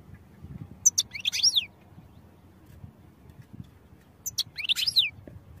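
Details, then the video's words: European goldfinch song for training: two short bursts of high, tinkling twitters with quick downward-sweeping notes, separated by about three seconds of quiet with a low background hum. "Goldfinch Songs for Training"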